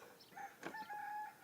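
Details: Rooster crowing on an amateur hen farm, crowing to show off to the hens and assert he is in charge; a rough onset gives way to a long, flat, sustained final note, heard at some distance.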